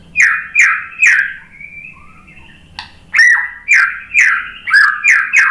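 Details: White-rumped shama responding to a lure: repeated loud whistled notes about twice per second, a soft pause, then further strong, slightly harsh notes in a steady series.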